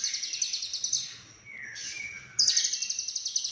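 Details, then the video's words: Cililin lovebird in konslet song, full of fill-ins: rapid pulsed high chatter, a lower gliding whistle in the middle, then the pulsing chatter resumes loudly. "Lovebird Konslet Full Isian CIlilin"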